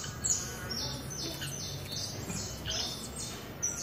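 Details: Over a hundred free Saffron finches being fed in a backyard, singing together: a dense chorus of short, high, downward-sliding chirps overlapping continuously, with a soft low rumble underneath.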